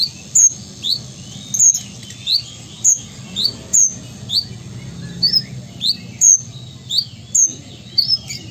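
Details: Captive Ruby-cheeked sunbird (kolibri ninja) from Sumatra, kept as a contest and tutor songbird, in steady full song: sharp high chips alternating with slightly lower rising squeaks, roughly one note every half second, around fifteen notes over a faint low hum.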